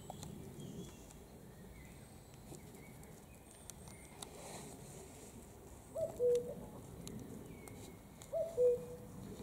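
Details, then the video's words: Common cuckoo singing: two soft two-note 'cu-coo' calls, the first note higher and the second lower, heard late in the recording over a quiet outdoor background with faint high bird chirps. "the cuckoo song"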